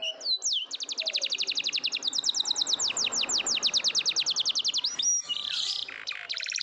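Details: Singing canary, played to get silent canaries to join in: a few slurred whistles lead into a long, rapid, even trill of steeply falling notes, closing with brief warbles.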